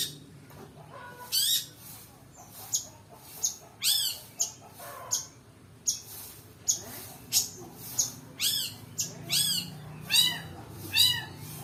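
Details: Shrike (pentet) full song used as a lure: sharp, scratchy, downward-sweeping high notes and harsh squeaks given in irregular bursts, some closely doubled, over a low steady hum of background noise.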